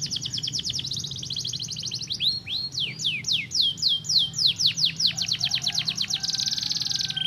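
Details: A canary sings to encourage other canaries to sing. It opens with a dense high buzzy trill, shifts to quick repeated downward-swept whistles, then closes on another rattling buzz, with a faint low hum underneath.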